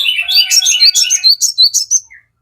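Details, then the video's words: Crested jay song, meant to provoke birds into answering. A short, dense, rapid volley of overlapping high chirps and whistles, fading out after about two seconds. "Pancingan sogon JADIKAN burung cepat bunyi langsung nyaut ngamuk"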